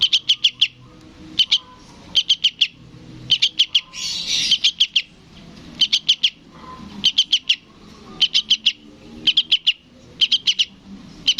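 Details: Sooty-headed bulbul chick persistently begging from its parent, about eleven rapid bursts of three or four shrill chirps in steady succession, with a brief noisy rustle near the middle.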